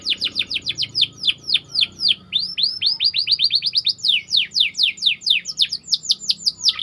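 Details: White canary chirping as training bait: a continuous chain of sharp downward-swept whistled notes, three to four per second, rhythmic and bright with clean quiet background.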